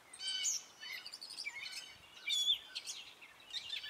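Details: Male gray catbird singing in spring, a diverse song of short notes that often imitate other birds: squeaky, scratchy phrases and a thin high whistle, strung together with short gaps, somewhat distant.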